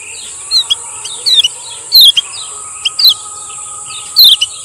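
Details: Lure recording of a male lemon-bellied white-eye from Lombok: quiet, spaced chirps with occasional louder high descending notes, irregularly timed, over a steady background hiss.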